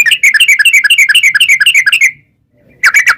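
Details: Yellow-vented bulbul giving fast 'ropel' chatter meant to provoke wild birds into replying: a two-second burst of quick, bright, bubbling notes, a brief silence, then a new burst starting.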